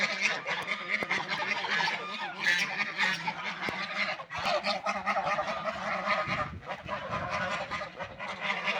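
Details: Ducks eating food and drinking water, a group calling almost nonstop with harsh, nasal, honking notes that overlap into a dense, chattering chorus.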